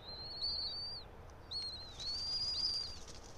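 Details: Bald eagle at its nest 90 feet up atop a pine tree in Johnson City, Tennessee, one of a resident pair, recorded 04.03.2024 at 06:28: thin, high, drawn-out whistles with down-slurred ends, three phrases over a soft background hiss.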